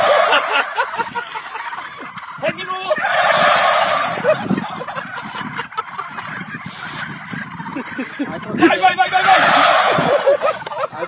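A flock of turkeys bursts into loud rattling gobbles twice, all together, while a man's voice calls out encouragingly in between.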